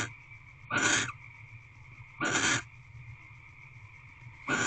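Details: Barn owls in an owl box at Corral on 27 February 2023 around 6 pm, on the tenth evening of mating and bonding: three harsh, hissing screeches, each under half a second, spaced almost two seconds apart over a steady background hum.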